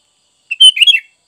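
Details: Sooty-headed bulbul song used for training caged birds: one short bubbly phrase of liquid warbled notes, about half a second long, against a silent background.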